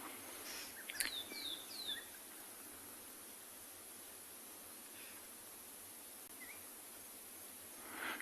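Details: Fork-tailed Drongo, becoming quite active at sunset on 8 August in Tswalu Kalahari Reserve, South Africa, gives a quick run of metallic, downslurred notes, then a few scattered brief notes, over steady evening hiss.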